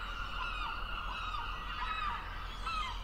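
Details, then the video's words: Gull cries in a dense chorus, overlapping harmonic wailing notes with small rising and falling bends, steady low rumble underneath. "Le cri de la mouette et description 🦤 Bruit des mouettes, son d'une mouette🦤"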